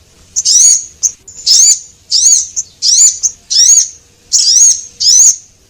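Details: Javan munia lure call, male and female, for attracting small birds: high, thin, wavering notes, each a short slurred chirp with a brief rising-falling inflection, given in loud bursts about every second with short ticks between.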